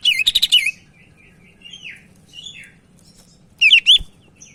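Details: Sumatran leafbird singing actively, recorded as a tutor or to stir other leafbirds into song: an opening burst of rapid warbled trills, softer scattered notes in the middle, then two loud chattering phrases with a sharp click near the end.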